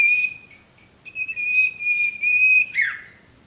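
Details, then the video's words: A male sirtu sings clear, sustained high whistles, one short and then a long level note, ending in a quick downward flourish. The recording serves as a masteran for birds that are stressed or not singing. "masteran burung sirtu bakalan maupun stres macet"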